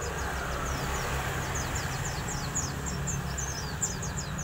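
A white-eye sings a rapid stream of very high, thin chirps and twitters, with a steady low engine-like rumble underneath.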